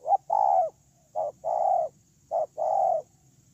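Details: Ground decoy spotted dove, recorded 8/10/2018, cooing strongly and regularly: three phrases, each a brief clipped note then a long, steady coo, repeated about every 1.2 seconds against a faint background hum.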